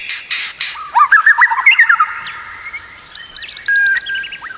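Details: Training song of a white-rumped shama, meant to make kept birds sing: brief harsh notes, then a rapid jumble of warbled whistles, followed by a higher stuttering series and a flat held tone.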